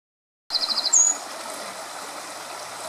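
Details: A brief burst of Eurasian wren song at the River Weil in the Weil Valley, Weilmünster, recorded winter 2013/2014: a quick run of high ticking notes and a thin sliding whistle over the steady rush of flowing water.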